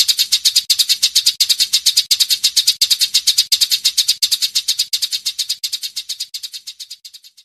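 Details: Edited Eurasian tree sparrow chatter used as a tutor recording for songbirds: a fast, steady run of high, sharp chirps, several each second, growing quieter toward the end.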